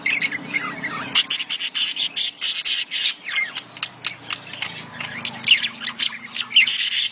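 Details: Budgerigar mating calls, played to stimulate a female to lay eggs: a dense, scratchy warble of clicks, squeaks and buzzy chirps. Sharp broadband ticks burst in irregularly throughout, with a faint low hum underneath.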